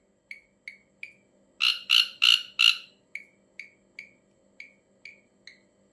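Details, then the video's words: Ashy drongo with a strange call: evenly spaced short sharp chirps, broken by four loud harsh rasping bursts in quick succession, then more single chirps about every half second. "suara aneh burung srigunting abu abu"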